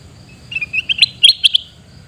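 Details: Shrill, staccato chirps from a sooty-headed bulbul recorded in Pidie, Aceh, Indonesia, around eight quick notes climbing slightly in pitch over one and a half seconds, with faint low background noise.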